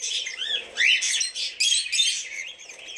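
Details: A flock of cockatiels chattering, with rapid high chirps layered over one another and a quick upward-sweeping whistle early on before the twittering continues unevenly.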